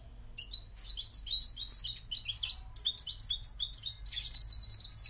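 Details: Moroccan goldfinch song: after a faint opening note, dense bursts of high twittering chirps come in quick phrases with brief gaps, closing on a buzzy flourish.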